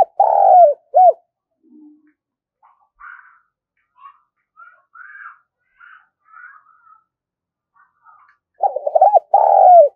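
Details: Spotted dove call played to lure birds: deep mellow coos open the recording, faint scattered chirps and squeaks follow, then a strong stuttering coo phrase ending in a long rolling note.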